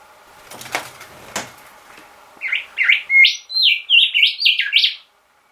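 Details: A resident rufous whistler sings at a bedroom window at 6 am. Two sharp taps come first, then a quick series of loud, ringing whistled notes, each bending up and down.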